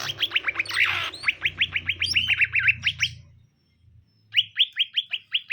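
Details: A caged greater green leafbird pair, male and female, being introduced; rapid rising chirps repeated several times a second, a brief pause, then another even series of similar notes.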